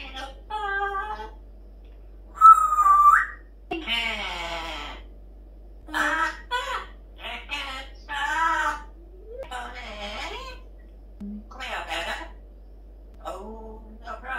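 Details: Female pet parrot singing and talking in her morning chatter, including the SpongeBob song: varied sung and speech-like phrases, a bright whistled note, separated by short silences, in a quiet room.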